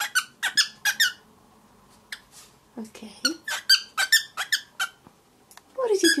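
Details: Seven-month-old grey cockatiel, aviary raised, kept indoors as a pet and trying to speak, gives a run of quick squeaky harmonic chirps in bursts, a pause, then more rapid chatter, with a person's voice close by in a small room.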